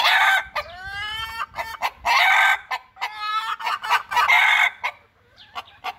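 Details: Domestic hens kept at home with their chicks, giving loud harmonic clucks and drawn-out squawking calls in bursts separated by short pauses, with a few rapid choppy notes between them and no other clear sounds.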